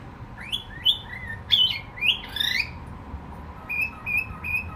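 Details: Pet cockatiel song of bright, rising and falling whistled slurs in quick succession, ending with three short, steady whistles at even spacing.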